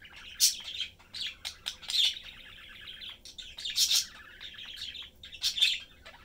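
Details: Pet budgerigar parents and young bird chatting while eating; lively warbling chatter broken by loud, sharp chirps about every one and a half seconds.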